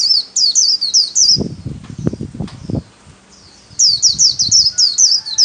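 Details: White-eye singing a solo in the 'khuyên líu' warbling song style, recorded for daily song training of pet birds: rapid high twittering phrases of looping notes, about three per second, broken midway by low thumping knocks.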